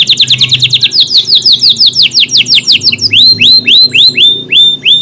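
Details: Energetic canary singing in a long, tight-burst style meant for training other cage birds: quick high trills give way to repeated falling slurred whistles, then a series of rising upswept notes about one per second.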